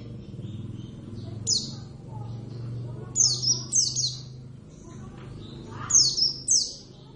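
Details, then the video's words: Kept Javan Oriental white-eye (javanus) in active song: one high descending chirp, then two groups of three thin, sharp, falling notes roughly three seconds apart, over a low constant hum. "plecit gacor"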